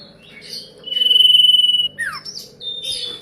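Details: Young ashy drongo imitating a common iora; a long, steady whistle, then a falling slur and high chirps.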